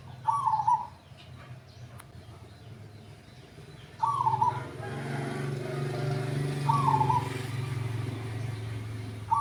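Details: Zebra dove, an older caged bird selected for its deep voice, checked at a seller's home on a Saturday night: short, rolling, staccato coos about every two to three seconds over traffic hum and low voices.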